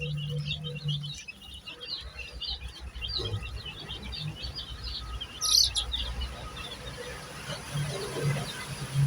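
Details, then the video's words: Dyed baby chicks peep in a high, busy chorus that thins out halfway through as a low rumbling background grows louder, with one brief sharp noise. "Cute baby chicks chirping sounds"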